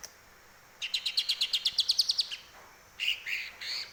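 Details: Captive greater green leafbird tutored on grey-cheeked bulbul (cucak jenggot) phrases: a fast run of bright, evenly spaced high notes for a second and a half, then a pause and several varied chirpy whistles.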